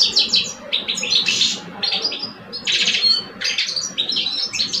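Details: Two caged male European goldfinches in a singing contest, one an older bird and the other two years old. Fast bright twittering phrases with buzzy and tinkling notes come in bursts separated by short pauses, over a steady low hum.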